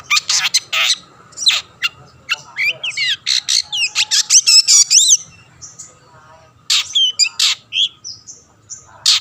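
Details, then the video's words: Long-tailed shrike in full song, used as a lure to stir rivals into singing: fast varied run of harsh chirps, whistled slurs and rising squeaky notes, about two to three per second, with a pause midway. "burung cendet gacor pendongkrak emosi lawan‼️ pancingan / masteran handal"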